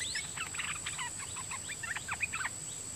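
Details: Red-whiskered bulbul decoy of the dok taeng type, back in the forest and singing a doubled song pattern at wild birds; a clear run of ringing, bubbling whistled phrases, about ten notes, over a steady thin high whine.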